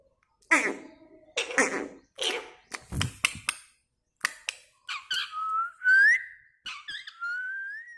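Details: Pet talking parrot indoors, starting with rough, noisy squawk-like bursts and speech-like chatter, then moving into smooth whistled notes that slide upward, the last one a long, gently rising whistle.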